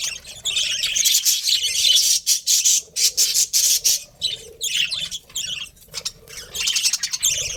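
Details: Continuous busy budgie chatter, dense rasping warble and sharp squeaks, roughly one and a half notes per second, with little pause.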